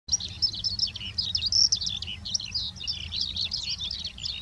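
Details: Eurasian skylark pouring out a continuous, high rapid warble of twittering chirps and trills, fluttering without pause, with faint low background rumble.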